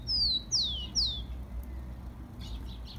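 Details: Captive Rufous-collared sparrow, song used to warm up caged birds: three clear high whistles, each sweeping downward, delivered in quick succession within one second, then faint chips and quiet low background.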